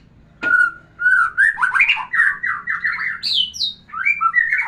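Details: White-rumped shama song used to rouse a female for breeding: one steady whistle, then a long, fluid stream of looping warbled notes with a few high sharp inserts. A faint low hum sits underneath.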